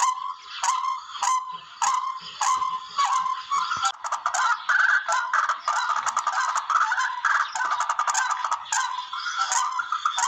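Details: Tikling, or barred rail, calling in a recording used to lure birds when hunting; quick series of raspy, nasal notes repeating about every half second, with louder, busier overlapping calls in the second half.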